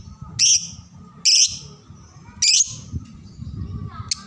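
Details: Lovebird tutor sound for young birds learning to sing: three loud, shrill chirps roughly one per second, then a thin short note, over continuous low rumbling.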